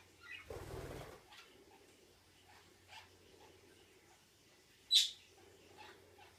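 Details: A budgerigar whose owner is worried by this odd noise and does not know its meaning: soft, scattered chirps and one sharp, high squeak after a brief rustling burst.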